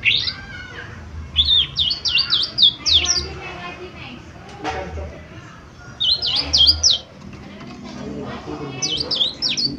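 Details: Lesser green leafbird (cucak ijo mini), a gacor lure song meant to prompt fast response: short clusters of sharp high chirps in two or three bursts, separated by quieter gaps with faint background murmur.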